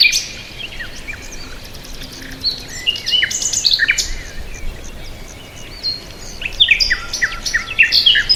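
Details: Several bird notes overlap in a busy chorus of high chirps, clicks and brief whistles, rising in density toward the end over steady background noise.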